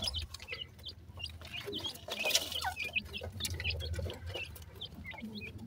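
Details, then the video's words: Black francolin chicks at play, giving rapid, thin high chirps and short peeps that overlap irregularly through the clip over a steady low hum. "baby dakhni teetar,baby ki boli"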